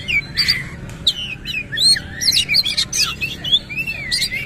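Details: A kacer, or Oriental magpie-robin, in full song with rough fill-in phrases and tail spread. It gives a dense run of varied whistles, upward and downward slurs and scratchy high notes, almost without pause.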